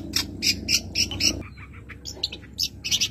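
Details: Caged Madura long-tailed shrike singing a full-fill masteran song: rapid rasping chattering notes in quick series, a pause of scattered squeaks, then the harsh rhythmic bursts resume over faint low hum.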